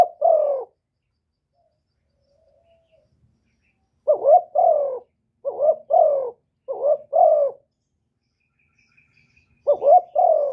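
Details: Spotted dove kept as a decoy to attract wild doves, Ca Mau, Vietnam: a run of cooing phrases, several in quick succession, each with paired short rising notes and a longer descending coo, otherwise silent.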